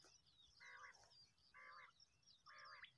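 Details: Common quail calling, a bird used to lure quail into nets during netting in Pakistan; faint, quick three-part phrases repeated about once a second over a soft low rumble.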